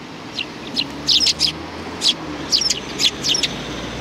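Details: Several short, high chirps from sparrows behind a civic cultural hall, 17 January 2020, spaced irregularly with some doubled notes, against a steady soft hiss.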